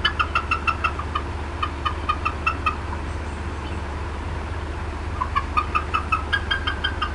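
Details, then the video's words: Upset female bald eagle at the Decorah North nest, 18 April 2016, afternoon, clucking after something entered her area. Fast bursts of short harmonic notes at the start and end, a quiet gap between, over a low constant hum. "MOM UPSET & CLUCKING A VERT LONG TIME"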